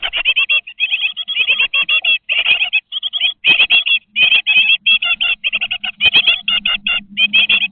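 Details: Twenty-day-old great tit nestlings inside a nest box call non-stop with rapid clusters of high, sharp, squeaky chirps in short bursts, broken by brief pauses, with a faint low hum underneath.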